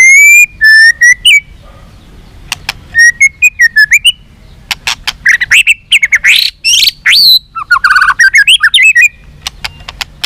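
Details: White-rumped shama giving long song to stir up fighting, with tail-flicking display; clear whistled phrases near mid pitch, then dense bursts of sharp clicks and rich warbled notes, varied and fast.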